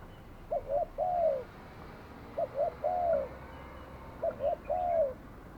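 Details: Decoy spotted dove calling during trapping; three evenly spaced phrases, each two quick low coos followed by a drawn-out downslurred croon, about two seconds apart, against quiet outdoor background.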